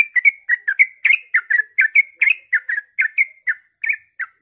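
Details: Rapid 'ropel' song from a sooty-headed bulbul at dawn, intended to provoke other bulbuls into song; dense chain of whistled, chirping notes with rising and falling slurs, tapering near the end.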